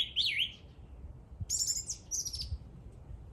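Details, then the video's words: A bird sings a wavering whistled note, then a pause and two very high buzzy, descending phrases. "The bird is singing."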